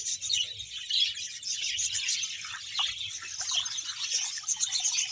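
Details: Continuous chorus of budgerigars from a colony of 100 pairs in Bahawalpur: busy high chirps and chattering warbles overlapping without pause, over a quiet low hum.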